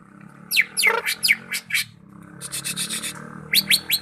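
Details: Greater green leafbird from Malinau delivering a handful of quick downslurred whistles, then a buzzy chattering series and three more falling notes, over a humming background.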